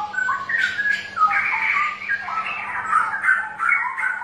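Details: {'caption': 'Dense, gurgling straw-headed bulbul song, played to coax reluctant birds into song: overlapping mellow warbled notes pouring out without pause across four seconds.'}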